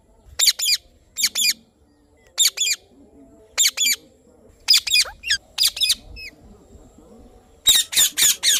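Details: Rose-ringed parakeet (Indian ringneck parrot) giving sharp, harsh, high-pitched squawks in quick bursts of two to four, separated by short pauses, over a faint low background hum.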